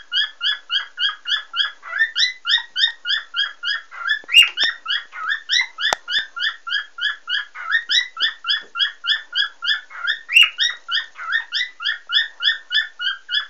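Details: A happy cockatiel chirps steadily, about three short bright notes each second, on and on without pause.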